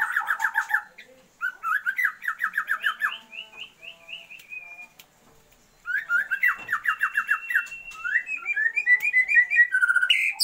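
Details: A female Oriental magpie-robin calls to excite a male's breeding drive. She gives fast trains of short whistled notes, about four per second, rising in steps, with a brief silence midway before another quick run.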